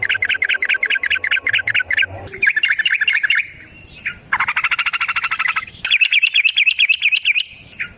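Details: Yellow-vented bulbul (trucukan) in the long rapid 'ropel panjang' style, used as a lure to make other bulbuls sing: bursts of fast, buzzy, repeated chirps, several separate runs, with a steady thin high whine in the background.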